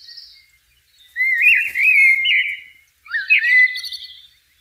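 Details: Two long liquid warbling phrases from a blackbird, wavering whistled notes with a faint high chatter over them, a quiet gap between the phrases.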